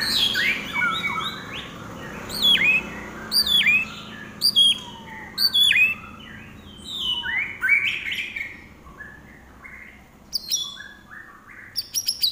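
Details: Common iora singing lively, with a chattering series of sharp, high downward-sweeping chirps in spaced bursts, interspersed with brief softer whistles.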